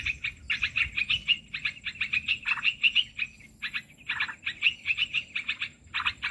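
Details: Lure recording of Olive-winged bulbul for trapping birds: lively chattering bubbly notes in rapid bursts, a short pause around the middle, then more liquid chatter, faint high whine behind.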